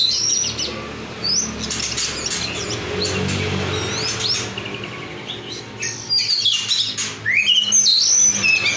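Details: Oriental magpie-robin (kacer) song: bursts of sharp whistled and chattering notes, some rising and falling, with quieter stretches between, over a steady low rumble and some broadband noise.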